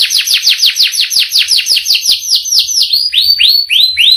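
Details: Canary singing a long rolling song in a captive setting: rapid series of descending whistled sweeps, about four per second, shifting after three seconds to slower rising-then-falling upswept notes.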